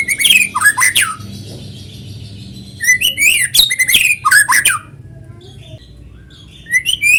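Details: Natural-sounding white-rumped shama song, meant to draw other shamas into song: quick tumbling phrases of looping whistles and sharp chips, pausing between bursts, with a faint low hum throughout.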